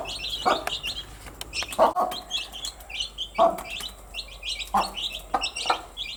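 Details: Baby chickens going about their day: quick bursts of high, thin peeps in clusters, with loud sharp knocks every second or so underneath.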